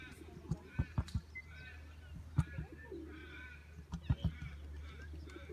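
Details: Male emu in an animal park outside Melbourne giving his usual low-frequency rumble: deep, hollow thumping booms in short clusters of two to four, with faint bird chirps in the background.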